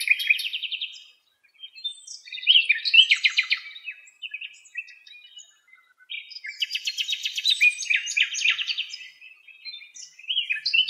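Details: Song of a nightingale from Greece, loud and continuous, mixing fast rattling trills, buzzy repeated notes and high whistled flourishes, delivered in dense bursts with brief gaps.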